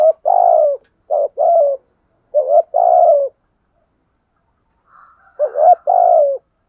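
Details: Spotted dove used as a lure bird, cooing in repeated phrases: short low notes followed by a longer drawn-out falling coo, three phrases with pauses, a faint higher note before the last.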